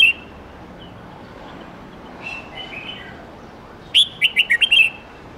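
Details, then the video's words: Red-whiskered bulbul singing a many-voiced, forest-standard 8-9-10 note song used to teach young birds: one brief opening note, quiet gap with faint chirps, then a loud rapid phrase of about six whistled, bubbly notes. "Chào mao hót nhiều giọng chuẩn rừng âm 8-9-10 cực hay/Dùng luyện chim non học giọng chuẩn"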